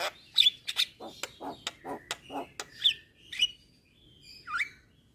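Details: Jalak kebo, the Javan myna, singing as a training tutor for songbirds: short harsh chips in quick succession, then whistled slurs and a final downward-curving squeal, clean background.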